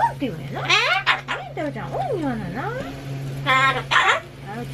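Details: Captive Solomons cockatoo talking against construction noise at home, chanting the same word repeatedly; swooping, rising and falling voiced syllables, some harsh and buzzy, over a constant low droning hum.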